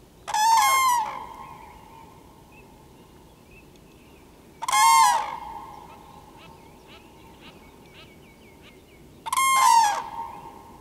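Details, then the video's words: Common cranes giving loud calls: three rough, resonant trumpeting bursts spaced about four and a half seconds apart, each under a second, with faint small chirps in the quiet gaps between. "Żurawie z głosem"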